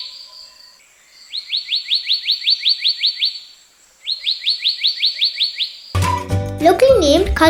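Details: Black-naped Monarch (black-naped blue flycatcher) calling in Sri Lanka, a species of dry and wet forest from sea level to foothills: two fast runs of sharp, ringing high notes, about ten per run at roughly three a second; background music at the end.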